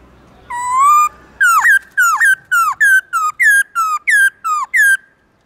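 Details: In the morning a black-throated laughingthrush sings loud, long "forest voice" song: one level rising whistle, then about ten sharp down-flicked notes delivered in quick, steady succession.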